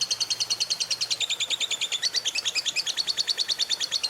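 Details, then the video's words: Lovebird in a morning ngekek, the fierce trilling chatter used to stimulate other lovebirds to sing: a continuous, very fast stream of high, sharp notes, about seven per second, unbroken to the end. "SUARA PEMACU Ini Bikin Love Bird Ngeroll & Ngekek Ganas!"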